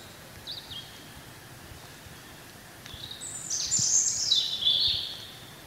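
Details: European robin song from a free bird in spring: a faint early note, then a rich, high, tumbling cascade of twittering and whistled notes descending in pitch, over steady light background hiss.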